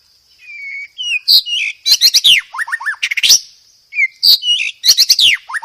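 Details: White-rumped shama master song, full of varied imitated phrases, for training cage birds: a drawn whistle followed by loud rapid bursts of sweeping chirps and falling slurred notes, paused and repeated, over a constant high hiss.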